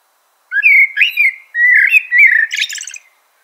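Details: Two connected phrases of common blackbird song: low, mellow whistles rolling up and down, with the second phrase closing in a burst of high, scratchy twittering.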